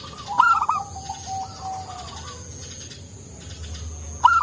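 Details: Mellow-voiced local zebra dove singing to rouse other doves: a loud bubbling coo trill followed by a slow series of softer descending coos, then a fresh trill at the close, with quiet background cooing.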